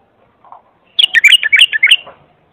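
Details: Bulbul song offered for tutoring young bulbuls: a soft low note, then a rapid run of clear, bubbling whistled phrases that rise and fall, about a second long, in a quiet setting.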